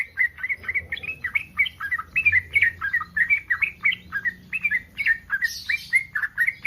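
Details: A breeding-condition yellow-vented bulbul calls to draw other bulbuls into reply. It gives an unbroken string of quick, warbling, bubbly notes at steady mid pitch, with a brief hiss-like burst near the end.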